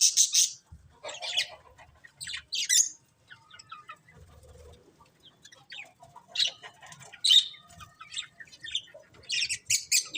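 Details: Budgerigars, colourful pets, give spaced bursts of shrill chirps and short warbled trills separated by near-quiet gaps.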